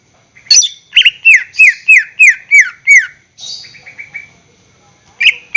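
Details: A greater green leafbird sings as a lure to stimulate captive birds. A run of seven loud, descending whistled slurs comes at about three a second, then a softer buzzy trill and a final sharp note.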